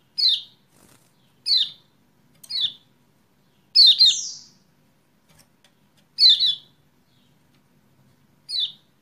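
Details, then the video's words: Kecial kuning used as a lure to prompt a silent caged bird into full song: short bright chirps sliding downward, about six spaced irregularly, one a doubled note, over a faint low hum. "PANCINGAN CEPAT GACOR UNTUK KECIAL KUNING MACET"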